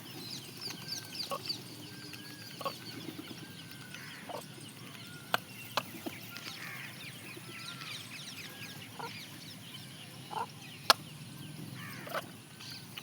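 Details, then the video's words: A peahen (Indian peafowl) calls while eating, giving soft, scattered clucking notes at an uneven pace, mixed with sharp taps and a steady background hiss. "Peahen Makes Sound & Eats"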